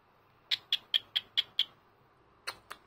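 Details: Senior pet cockatiel indoors on a Sunday morning, giving a morning greeting: a run of six sharp, high chirps evenly spaced about every fifth of a second, then two rougher, broader notes after a pause.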